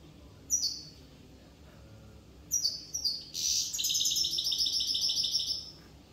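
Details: European goldfinch from Corsica: a few sharp high chirps, then a fast, continuous twittering run of bright, tinkling notes with buzzy trills lasting about three seconds. The background is quiet.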